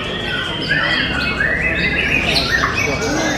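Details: White-rumped shama from Tasikmalaya singing at a bird contest, delivering sharp rolling 'sepurrrr' strokes; quick whistled notes sweep up and down amid a dense chorus of other contest birds and a steady crowd and background hum.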